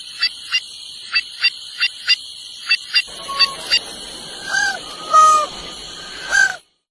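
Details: Steady high whine with evenly spaced sharp clicks, then a white-naped jay joins with three or four pure whistled notes, one upslurred, one flat and one longer, each slightly different in pitch.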